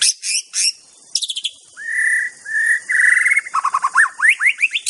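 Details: Wild white-rumped shama song in the wild, a rich mix of sharp high chips, long sustained pure whistles, and fast rising whistled notes repeated in quick succession.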